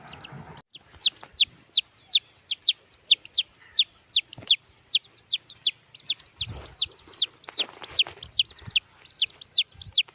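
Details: A young red junglefowl gives a long run of shrill, descending peeps, roughly two or three per second, evenly paced, with soft scuffling sounds behind.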